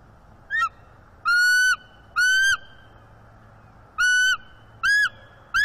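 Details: Bald eagle pair perched together on a branch in the morning, 4 December 2023 on a nest camera; female gives mating vocals to signal interest, male answers. Loud, clear, slightly arched piping notes with rich overtones, about half a second each, five in quick, uneven succession.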